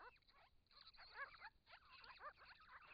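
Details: Wild Grey-crowned Babblers, part of a group of six visiting a pond in regional Victoria, Australia, caught by camera trap in hot weather while drinking and bathing: quick bursts of harmonic, chattering, bending notes calling back and forth.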